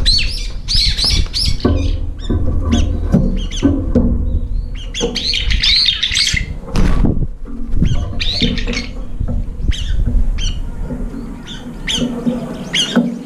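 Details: Brown-eared bulbuls competing at a feeder that is almost empty, flying up to fight between mouthfuls: bursts of loud screechy squeals and chatter alternating with wingbeats and clattering, low rumbling throughout.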